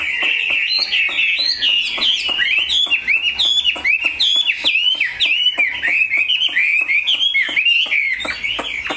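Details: Caged Chinese hwamei delivering an energetic warbled song of short, twisting whistles strung closely together, accompanied throughout by rapid dry clicks.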